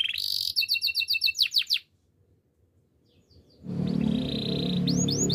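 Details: Canary song for training: nearly two seconds of quick trilled and falling whistled notes, a near-silent gap, then a loud broad noisy wash with a few faint swept notes.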